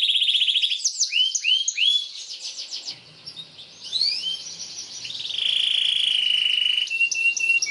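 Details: Tutor song of a canary for young birds learning to sing: a rapid buzzing trill, three rising upsweeps, a brief quiet gap, then mixed sweeping notes and a long sustained whistled tone ending in a short trill.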